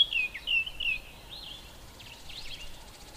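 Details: A White-browed Scrub Robin sings its repetitive song from inside a bush: three quick, bright, down-slurred whistles, then softer, scratchier twittering phrases over faint background hiss.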